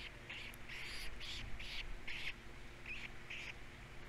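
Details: Osprey chicks at feeding time on Captiva: loud, slightly harsh chirps in a steady series, about three per second, over a low constant hum.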